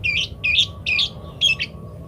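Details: Parakeet from a varied master recording used to teach munias to sing: four loud, short squeaky chirps, each a quick rising-falling note, spaced about half a second apart, over low hum.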